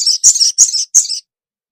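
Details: Female ruby-cheeked sunbird calling the male with four quick, high, slightly buzzy chirps, each split into two parts, delivered in just over a second.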